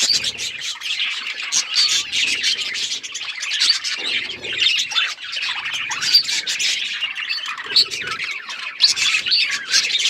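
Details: Continuous budgie twittering: layered fast chirps, buzzy trills and short squeaks from several birds, keeping up a dense, even chatter throughout.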